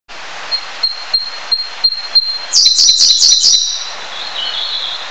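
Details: Siberian blue robin, Luscinia cyane, a bird of northeast Asia that winters in India, southern China and Southeast Asia: a soft high thin note repeated about every third of a second, then a short louder chattering trill.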